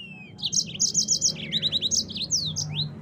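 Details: Yellow-fronted canary in full rolling song: brisk repeated high chirps, a buzzy fast trill and swooping slurred whistles that rise and fall, loud throughout over faint low hum.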